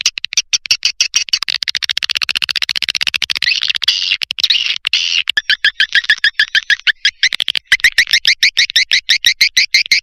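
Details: Swiftlet lure call: dense, rapid chirping twitters, about three notes per second, high and bright, running continuously with brief pauses and a slightly electronic, processed quality.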